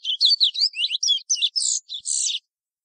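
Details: Chestnut-bellied seed finch, Oryzoborus angolensis, singing the "Ananas" local song type of French Guiana: a fast run of varied high whistled and twittering notes, some sliding, about ten phrases in under two and a half seconds, clean background.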